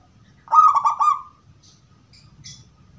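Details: Gedong mengo zebra dove singing in a 'crystal' voice, kept as a lure that other doves answer: one rolling coo of several rapid pulses, then a few faint, thin high chirps.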